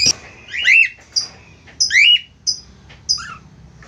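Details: Two budgerigars singing as a pair: short high squeaks alternating with longer bending, warbling chirps, uneven in rhythm over a soft low drone.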